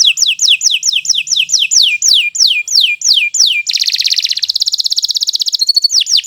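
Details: Canary from Indonesia, Kenari Nusantara 173, singing a long master song for training birds; steady series of high sliding downslurred whistles about three per second, then a dense buzzing trill and a few clear whistled notes.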